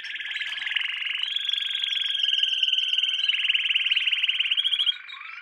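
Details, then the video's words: Canary song from a training lesson for young canaries: long rapid trills and rolling buzzy tours, pitch stepping between low and high, with a faint whistle at the end. "Canary Singing - lesson 16"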